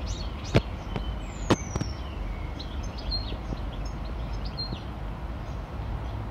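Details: Eurasian penduline tit, grooming and calling near its nest in Parque Manzanares Sur, gives a thin, very high, drawn-out descending whistle and a few faint high chirps over steady low rumble and sharp clicks.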